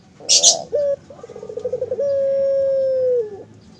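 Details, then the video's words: Barbary dove caged on a bird farm, 'mendengkur' coo: a short clipped note, then a fast stuttering roll that flows into one long, even, mid-pitched hum lasting over a second before fading. "Suara Burung Puter Mendengkur"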